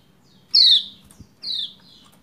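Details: Female Lombok white-eye calling to a male to prompt him to sing: two sharp descending 'ciak' chirps about a second apart, high and slightly buzzy, the first louder, over a faint low hum.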